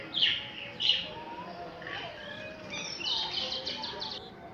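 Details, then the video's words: Common myna giving harsh chattering notes, then a quick run of sharp, repeated clicks and whistles in the final second. "Myna Sound // Myna Bird Sound // Common Myna Sound"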